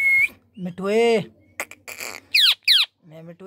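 A rose-ringed parakeet opens with a short whistle, mutters a few speech-like syllables, then gives two harsh, falling squawks and more throaty chatter.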